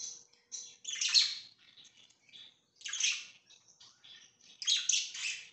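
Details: Soft, chattering warble from pet budgerigars on 24 September 2024, with quick, scratchy chirps rising into three louder bursts among quieter twittering.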